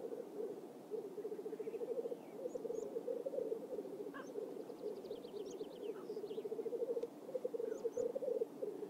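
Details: Black grouse displaying at a lek in a swamp in Oulu, Finland, in May. Their rhythmic bubbling rolls on in waves, while another bird adds thin high whistles and a quick descending trill around five seconds.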